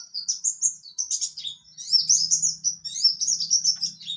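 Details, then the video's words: Mountain white-eye, buxtoni type, giving 'ngalas nembak' song: rapid high chirps and slurred whistles run together into an unbroken chattering warble, with a faint low hum in the second half. "Pleci Bxtoni juga bisa Ngalas Nembak"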